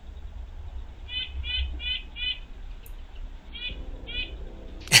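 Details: Red-breasted nuthatch heard in the background: a series of short nasal beeping notes, four in quick succession about every third of a second, a pause, then two more, over a low hum, ending in a sudden loud knock.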